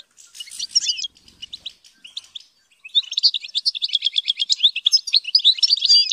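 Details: Captive European goldfinch under training singing a fast, high, tinkling twitter of rapid chirps and trills, a short lull near the middle, then a dense continuous run of liquid notes.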